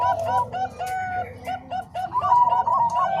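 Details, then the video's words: Combined Bangkok and Cemani Kolbuntet zebra doves, recorded as training song for other doves: steady mid-pitched coos with short clicks, rising into a brighter, quavering phrase near the end, low hum underneath. "Suara Kombinasi Perkutut Bangkok Dan Cemani Kolbuntet|Untuk Masteran Semua Jenis Perkutut"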